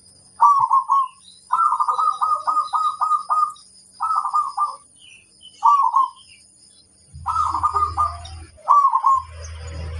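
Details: Local zebra dove used as a master bird to provoke others into answering, with a very loud voice: low cooing phrases with rapid trilled middle notes, repeated in bursts about every second or two, with a faint steady high whine and a low rumble near the end.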